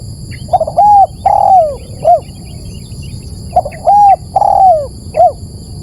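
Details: Spotted dove call for luring: two back-to-back phrases, each a short note, a rounded coo, a long downward-sliding coo and a clipped final note. A faint chirping sound and a steady high whine are in the background.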